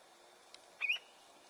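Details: Osprey: a single brief, high whistled note that is slightly inflected, preceded by a faint click, in quiet open surroundings.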